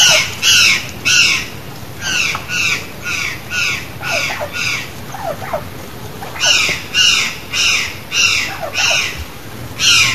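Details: A wild curl-crested jay (gralha-cancã) in Brazil, singing free in nature, gives harsh, loud squawking notes in a steady series, roughly two per second, in two bursts separated by a quieter pause.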